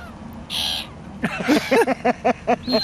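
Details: Cranky seagull calling: a rapid run of about eight harsh, nasal, evenly spaced notes, roughly four per second, after a brief high hiss, with low background rumble.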